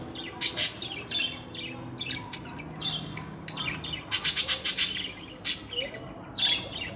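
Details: Budgerigar chatter from pet birds: varied harsh squawks and clicks, including a rapid stutter of five quick bursts midway, then more scratchy chirps.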